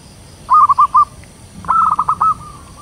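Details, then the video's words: Big-voiced local perkutut, the zebra dove, calling in ngayer style to attract wild birds: two quick stuttering coo phrases, the second longer and ending in a sustained trailing note, over a quiet low hum. "perkutut lokal suara besar ngayer saling pikat paling ampuh"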